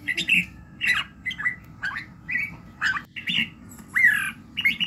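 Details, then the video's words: Red-whiskered bulbul singing in the morning during voice training: loud, slightly harsh warbled phrases repeated roughly every half second to second. "luyện giọng Chào mào buổi sáng kích lửa hiệu quả"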